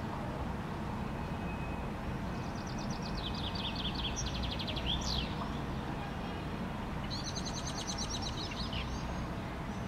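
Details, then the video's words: A common chaffinch singing in a maple tree in Helsinki, Finland, May 2013, gives two bright phrases, each a quick run of descending notes ending in a flourish, over a steady low rumble of distant traffic. "Chaffinch singing"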